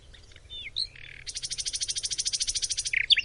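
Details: Short nightingale phrase, Macedonia: a few soft rising and falling notes lead into a long, fast, even buzzing rattle of high repeated strokes, ending with a sharp chirp.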